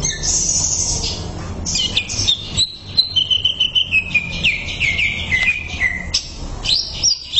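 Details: Training recording of greater green leafbird song: a high opening trill, then a long run of clear whistles that step gradually lower, ending in a few sharp upward chips.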